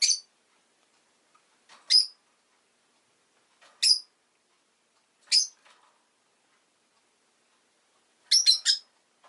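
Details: Shrill, abrupt chirps from a pet rosy-faced lovebird, single notes roughly every one and a half to two seconds, ending in a quick burst of three.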